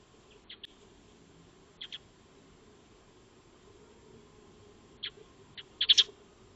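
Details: Maya birds, Eurasian tree sparrows, at a backyard feeding spot on 02-03-2025, filmed by a motion-triggered solar wildlife camera; clear high chirps in pairs, ending in a loud rapid cluster of several notes, over quiet background.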